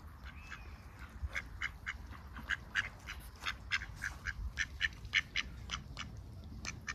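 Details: Ducks on a heavily overcast day, recorded close up: a lively run of short, nasal quacks, roughly two per second, uneven in spacing and varying in loudness, over a low background rumble.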